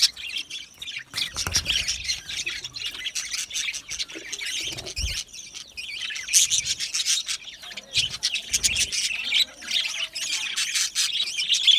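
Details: Many budgerigars in an aviary, giving continuous high chattering chirps and warbles that overlap into a busy flock chorus, with a few brief low thumps.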